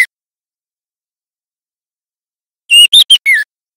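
A young white-rumped shama gives a brief phrase of four clear, rich whistled notes, the last slurring downward, after a long silence.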